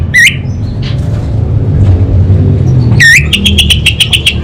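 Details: Orange-headed thrush in 'kabel konslet' style: an upswept harsh note, a pause with low rumble, then another upswept note leading into a fast, even stutter of eight short buzzy clicks.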